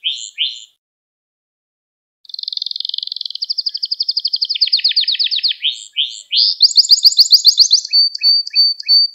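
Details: Canary song for teaching young canaries: a few short notes, a pause, then a long accelerating trill, rising chips and a high rapid trill ending in a steady whistled note repeated in short bursts.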